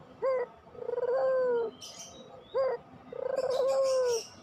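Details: Puter dove in pelung style, meant to coax silent doves to sing. Each short upturned note leads into a long coo that begins with a rapid stuttering roll. The sequence plays twice, with bright chirping from small birds between phrases.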